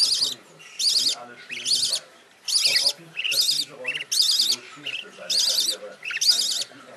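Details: Youngest rainbow budgerigar chick in a nest box, pressing against its siblings for support and warmth, giving harsh rasping cheeps about once a second, eight in a row, with soft lower rustling and murmurs between them.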